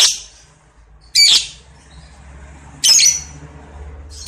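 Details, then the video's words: Lovebird giving long trilling chatter (ngekek), played as a lure: loud harsh high screeches in bursts about every one and a half seconds over steady low hum. "Pancingan - Love Bird Ngekek Ngetik Panjang"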